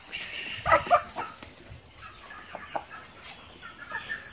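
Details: Light Brahma chickens: two loud harsh squawks near the start, then scattered softer clucks and chatter from the flock.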